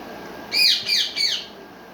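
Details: Pet parrot perched on a basket, said to talk in Urdu or Hindi; three loud, harsh, slightly falling squawking notes in quick succession over about one second, with a quiet indoor background.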